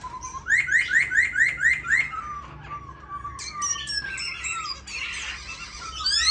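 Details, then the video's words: Tame caged Black laughingthrush giving six rapid rising whistled notes in a row, then varied sharp whistles, a harsher noisy burst and a final upslurred phrase. "Khướu mun chân hồng thuần đét"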